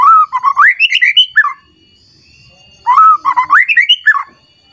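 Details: Agitated white-rumped shama, roused against a rival, pours out its varied song: two bright whistled phrases of rising and falling notes climbing from low to high, separated by a two-second pause, with faint background chirps.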